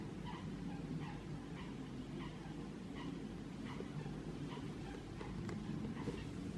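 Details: A male Eurasian teal on 2 March 2021 gives short, bright, whistled notes, about ten in quick irregular series, over a steady low rumble of wind or distant traffic.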